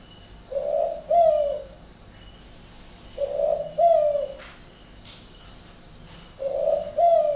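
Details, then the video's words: Spotted dove kept in Ba Vì district, Hanoi, northern Vietnam, with an unusual cooing style: three low two-part coos about every three seconds, each a soft hum then a louder falling note, with one sharp knock between them. "cu gáy độc lạ hoắc"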